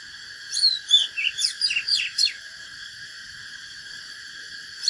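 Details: An Oriental magpie-robin delivers its fighting song in one burst of about eight rapid, varied whistled notes with steep falling sweeps, then a few seconds of steady high background drone.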